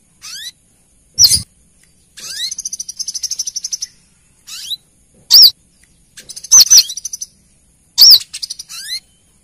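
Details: Used as a lure, a female brown-throated sunbird calls to the male with rising thin whistles, long fast buzzy trills of high ticks and loud piercing arched chirps, sometimes doubled, repeated throughout.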